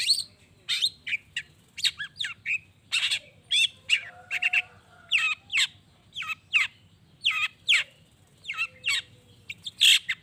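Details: Long-tailed shrike singing to rouse other shrikes into responding: ten seconds of varied chattering with harsh squawks, sharp chips and quick whistled slurs in rhythmic bursts, faint low hum beneath.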